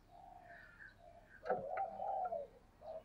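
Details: Spotted dove giving a low, hollow coo phrase: soft introductory notes, then a loud sustained coo of nearly a second, over a hissy, noisy background.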